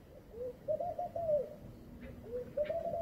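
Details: Laughing dove cooing in the morning, two close phrases of soft, laughing, stepped low notes, each a quick rise and fall, with a couple of brief high chirps from another bird between them.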